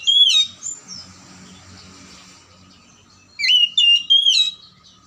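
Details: Oriental magpie-robin singing to encourage lazy or silent magpie-robins to sing: a sharp whistled burst at the start, a long faint pause, then a cluster of four rapid slurred whistles.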